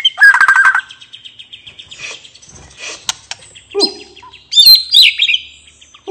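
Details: White-rumped shama, called murai batu, singing a relaxed ngeplong-style song meant to spur other birds to sing: a low fluttering phrase, faint trills, then loud sweeping whistles and harsh notes near the end.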